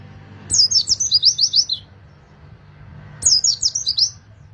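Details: Oriental white-eye singing energetically, used to coax other white-eyes into singing: two bursts of high, rapid chirping trills, each a quick run of sharp descending notes, separated by a pause, with faint low background rumble.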